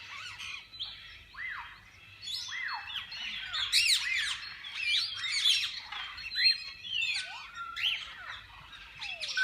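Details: Mixed parakeets in a walk-in aviary of a parrot park: many birds calling at once, with loud arched squawks and sharp chirps standing out over continuous twittering chatter.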